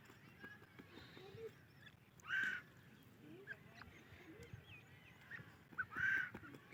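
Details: Female grey francolin voice: two loud, rasping calls roughly four seconds apart, each brief and strident, set against a busy background of faint bird chirps and twitters.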